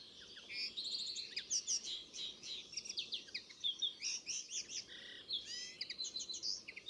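A Linnet's fast twittering song: a rambling run of dry chatters, short trills and bright whistled notes, high-pitched and varied, with no pauses.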